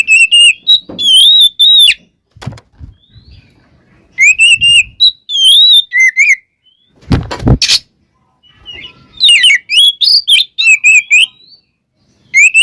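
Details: Oriental magpie-robin song played to excite other magpie-robins; short clear whistled phrases with ringing overtones come in bursts separated by silent gaps, with scattered clicks and a brief loud rustling knock midway.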